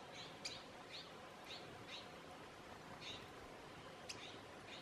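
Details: Rufous-capped warbler (Basileuterus rufifrons) at Hunter Canyon, Cochise County, Arizona, 25 April 2015, giving thin, sharp high chip calls spaced irregularly about once or twice a second, over a steady soft hiss.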